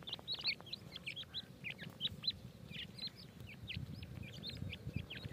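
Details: Grey francolin chicks call while feeding: a lively, nearly continuous chatter of high, upslurred peeps, several each second, over faint low background noise.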